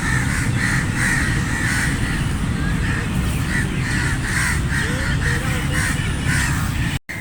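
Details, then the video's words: Flock of crows calling with repeated coarse caws, several birds overlapping, a faint higher call near the end, and a brief dropout just before the close; low rumbling noise throughout. "Flock of Crows cawing sound effect | Crow Caw Sound Effect Naturally"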